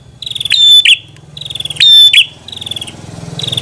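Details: A red-headed prinia gives two loud buzzy phrases, each starting with a soft ticking rattle, then a third softer rattle begins. A low rumbling hum runs underneath throughout.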